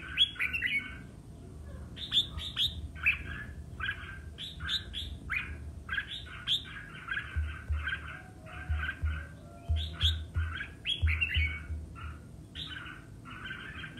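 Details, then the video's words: Red-whiskered bulbul in a singing contest, roused to sing intensely: long sequence of lively chirped phrases, each note sharp and bright, some with high ringing overtones, repeated in clusters for fourteen seconds. "Chào Mào Hót Đấu - Kích Chào Mào Hót Đấu Căng Lửa"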